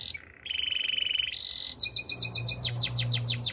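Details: Spanish Timbrado canary singing for training: a held buzzy trill rising into a brighter one, followed by crisp repeated chirps about five per second, with a low hum underneath.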